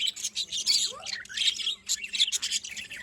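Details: Budgerigars in a small colony of pet birds, chattering steadily: dense bursts of high, scratchy chirps and warbles with a few rising whistled notes, several birds overlapping.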